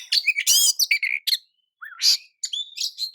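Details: Short stretch of Oriental magpie-robin song used to provoke rivals: harsh rasping notes and bright chirps, a pause, then a rising slurred whistle followed by more quick twittering.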